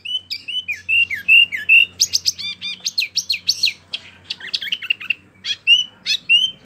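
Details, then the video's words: Rolling song from a small kept wambi in full voice: clear whistled phrases dropping in pitch, followed by rapid bursts of high trilled and chattering notes, continuing steadily with a soft low background hum. "Wambi mini gacor ngerolll abis"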